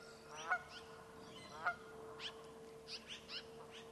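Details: American wigeon at MPG Ranch giving two short, wheezy whistled calls about a second apart, followed by fainter higher chatter from other birds over a steady low hum.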